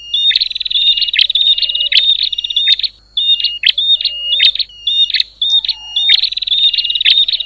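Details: Noisy bar-winged prinia call that agitates other prinias, harsh buzzing rattles alternating with series of short chipping notes and crisp clicks, with brief quiet gaps.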